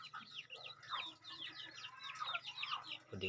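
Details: Crossbred decoy red junglefowl youngsters aged two months cheep in a busy chorus, their high slurred notes coming several per second, with a faint steady hum behind them.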